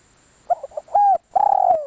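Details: Decoy spotted dove: soft stuttering hoots, a clear level coo, then a long, vibrating coo that slowly slides down in pitch.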